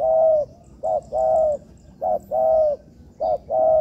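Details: Spotted dove in training in a man-made yard, giving low hollow coos: a short note followed by a longer drawn-out one, repeated about once a second, with faint small-bird chirps high in the background.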